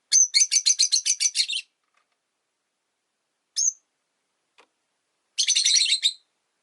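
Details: Caged Rosy-faced lovebirds, five kept together by a window, open with a rapid string of about ten shrill chirps, a single high squeak, then a dense harsh chattering burst.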